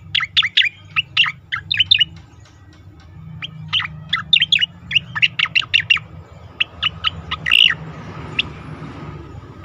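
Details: Asian pied starling in a training recording for competition birds, pouring out long, nearly continuous strings of bright chirps and clipped whistles, with a louder squeaky accent near the end; steady low hum behind.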